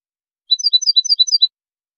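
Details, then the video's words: European goldfinch song for training. About a second of bright, liquid twittering, alternating lower and higher notes in a bouncy, regular rhythm, with nothing else heard. "أجمل تغريد لتلقين#الحسون"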